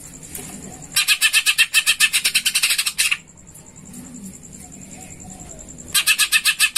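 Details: Greater green leafbird (cucak ijo) used as a lure call, giving house-sparrow-like sounds: fast, harsh chirps about four a second in two bursts, over a thin steady high whine.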